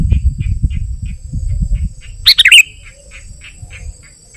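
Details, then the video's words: Sooty-headed bulbul song, used to lure wild bulbuls and to tutor caged birds: one short burst of bubbly, liquid notes midway, after low rumbling noise, with a faint steady high whine throughout. "Suara Burung KUTILANG GACOR Ampuh Untuk Panggilan Kutilang Liar dan Cocok Untuk Masteran"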